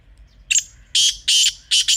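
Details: Kala teetar, the black francolin, giving its rasping call in a natural setting: a short harsh note followed by three longer grating bursts in quick succession, loud and clear against a quiet background.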